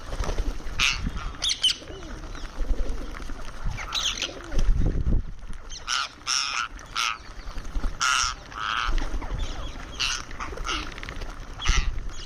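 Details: Indian ringneck parrot making sounds during a meal: loud, rasping squawks in separate bursts roughly every second or two, with low thumping handling noise between them.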